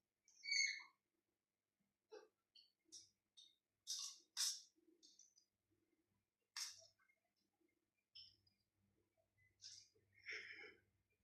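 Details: Rose-ringed parakeet giving short, harsh, screechy calls in scattered bursts, some noisy and broad, others with banded tonal notes, separated by gaps of about a second, with a faint low hum underneath.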